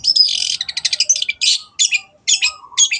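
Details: Long-tailed shrike in full, lively song, used to train caged birds: fast scratchy twittering phrases with thin high whistles, broken by short pauses and bursts of harsh chatter, ending in a faint lower whistle.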